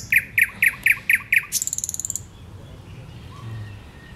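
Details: Thrush nightingale singing on 8 May 2022: six loud, evenly spaced 'chock' notes with bright high tops, followed by a fast dry rattle of very high clicks, then quiet background with faint distant birds.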